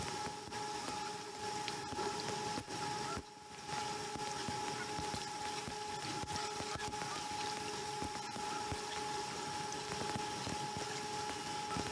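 Steady broadband noise with a constant low hum and occasional faint clicks and knocks; no animal calls stand out.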